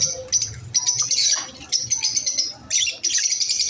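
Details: Masked lovebirds chatter in dense, high, scratchy chirps, bursts overlapping almost without pause for several seconds; likely several birds together.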